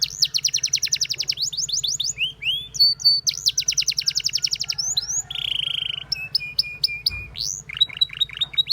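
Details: Canary in full song, its singing drawing other canaries in, with long rapid rattling trills, rolling loops, a steady buzzy whistle and bursts of sharp chips in quick succession, loud and continuous.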